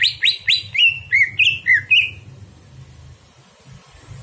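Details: Greater green leafbird singing at night, recorded as a master tutor for training other birds: a quick run of about eight bright chirping notes that slide downward, each note sharp and clipped, then the phrase stops and faint hiss remains.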